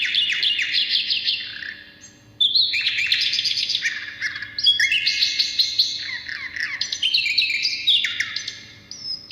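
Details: Asian brown flycatcher singing in a lively, full-voiced style, used as a lure and as song training for other songbirds; fast jumbled high twittering phrases with rising and falling slurs, a brief pause near two seconds, then continuous chatter.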